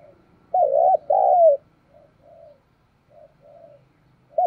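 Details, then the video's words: Spotted dove used as a lure to trigger cooing: one loud hoarse double coo followed by softer, quieter coos and the start of another loud note. "Chim Cu Mồi/ cu gay kich boi nhanh noi gù"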